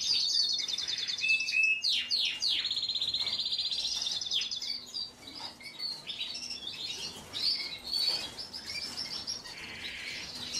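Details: Belgian Frill canary in full song. Fast, sharp chirps and sweeping notes give way to long, high rolling trills, then scattered twitters and a softer buzzy close.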